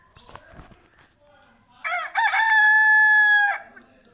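A rooster gives one loud crow lasting under two seconds, choppy at first, then a long, steady, harmonic-rich held note that breaks off abruptly, with faint background sounds before it.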